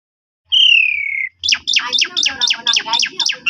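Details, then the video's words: Black-collared starling song played as a lure to draw other starlings into answering: one long clear whistle sliding gently downward, then a quick series of about eight sharp descending chirps. Faint low thumps sit beneath. "JITU Memancing Jalak Suren Lain Langsung Bongkar Isian Nyaut Suara Panjang"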